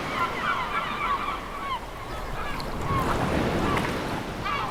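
Several gulls give short, nasal, downslurred mewing calls every second or so over the steady roar of breaking surf.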